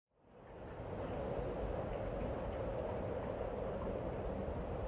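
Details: At Audierne Bay in late April to early May 2022, a steady low rumble of wind or distant vehicle fades in and holds, with no animal calls.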